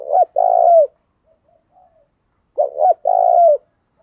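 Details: 'Thổ'-voiced spotted dove used as a decoy: a long coo ending, then a fresh phrase of two quick notes and a steady drawn-out coo, with faint soft sounds in the gap.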